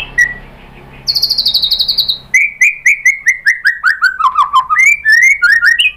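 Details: White-rumped shama song used as a lure to provoke other birds into singing: after a faint hum, a quick burst of high buzzy notes, then a loud run of clear whistled notes stepping downward before rising again.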